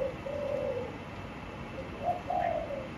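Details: Caged spotted dove cooing softly: a drawn-out low coo, a pause, then a shorter coo followed by a longer one, faint against steady background hiss.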